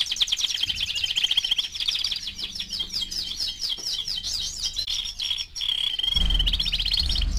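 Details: Four-month-old canary singing a long rapid warble of high, swept and rolled notes changing into a steady trill; a low thump or rumble enters near the end.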